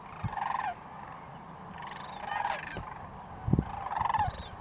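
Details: Sandhill cranes recorded in Nebraska in 2019 give rolling, rattling calls repeated about every one and a half seconds over a steady background murmur, with a few low knocks.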